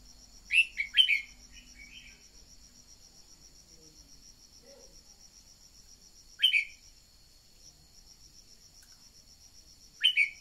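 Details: Red-whiskered bulbul song played to prompt birds to sing: an opening cluster of three or four bright slurred notes, followed by single sharp chirped notes roughly every four seconds, against a continuous high-pitched insect-like drone.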